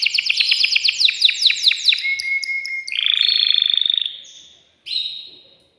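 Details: Caged male canary singing hard to stimulate a female for breeding: a burst of rapid, descending chirps, a thin whistled note, then a loud buzzy rolling trill and one short high roll.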